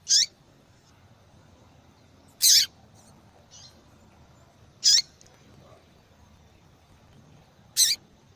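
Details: Female double-collared seedeater giving its attraction call to males; four short, high, sharp chips repeated roughly every two and a half seconds over a quiet background.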